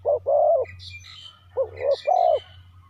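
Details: Captive decoy spotted dove cooing to call in wild birds. Two low phrases of short hooting coos each end in a longer, steady note, over light chirping from other birds.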